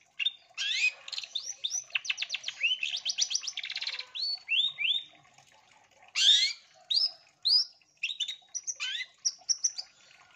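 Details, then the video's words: Long-tailed shrike, energetic training-lure song full of fill-in phrases: rapid rattling trill of rising notes, then spaced, upslurred whistles and sharp chips repeated with short pauses. "MASTERAN SUARA CENDET GACOR DOR ISTIMEWA NAGEN FULL ISIAN TEMBAKAN COCOK BUAT PANCINGAN"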